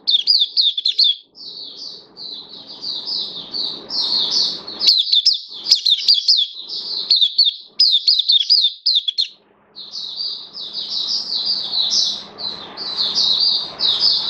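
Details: Cage-kept oriental white-eye in song, recorded 11 September 2022: a long, almost continuous stream of high warbled and twittered notes with a few short breaks and a low background hum.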